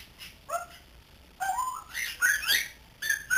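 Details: Young pet grey parrot, three months old and learning to talk, gives short paired whistles, then a rising whistled phrase that breaks into a bright warbling squeal, ending on a clear high note.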